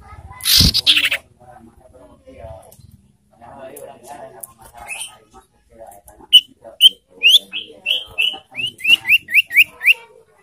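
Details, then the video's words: Ashy tailorbird call, used as a lure to rouse and excite birds in breeding condition: faint chatter gives way to a series of about thirteen short, sharp whistled notes, spaced unevenly at first and then quickening toward the end. "Memancing emosi dan Merangsang birahi burung sirtu"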